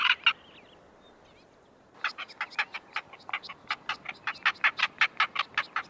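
A male Northern black korhaan gives two harsh notes, pauses, then a long run of raucous, rasping croaks, about three per second, rising in loudness.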